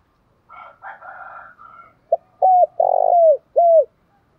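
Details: Spotted dove, 'giọng thổ pha đồng' song style, sings one phrase right after a rooster's crow. The phrase has a brief note, a clear coo, a long buzzy descending coo, and a closing dropping coo.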